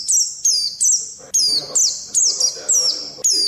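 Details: Oriental white-eye in pet training audio, giving dense, shrill falling chirps in fast succession, some in doubled notes, over a faint low background murmur.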